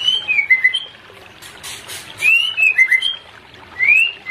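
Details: White-rumped shama pair, therapy recording to bring birds into breeding condition: clear, slurred whistles in short bursts, each a few rapid notes, with pauses between and faint background noise.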